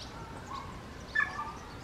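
A common raven imitates a human word, 'hola': a brief, voice-like two-part utterance with a faint lead-in note, over soft background hiss.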